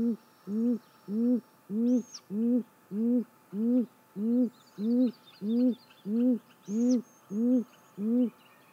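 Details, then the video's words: A female great grey owl at the nest on the morning of 28 May 2017 hoots steadily, about fourteen deep, even notes roughly every 0.6 seconds. High twittering from other small birds and two brief high squeaks sound in the background. "Great Gray Owl Nest Female treats us to some great vocals"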